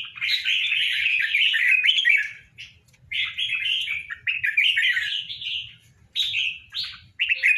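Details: Pair of tame caged red-whiskered bulbuls kept for Tet: bright, warbling phrases of rich chirps between about two and four kilohertz, in bursts of two to three seconds separated by short pauses, with faint low room noise beneath.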